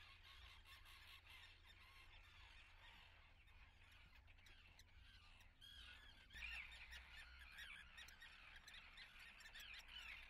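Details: Common terns at their nesting colony at Atlit, 10 June 2010, give a dense chorus of harsh, rasping squawks that overlap continuously, growing louder in the second half, over a steady low rumble.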